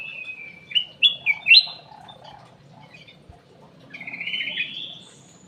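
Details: Aviary ruby-throated bulbul, known locally as cucak emas, singing as a lure. A quick burst of four loud, rich, looping whistles, then a pause and a longer, slurred, wavering whistle, over a faint hum.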